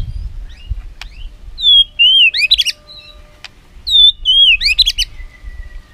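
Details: White-rumped shama singing an "isian" song used as a lure to get other shamas singing; a few sparse phrases of clear, high whistled notes and rapid bursts separated by pauses, with faint low rumbling behind.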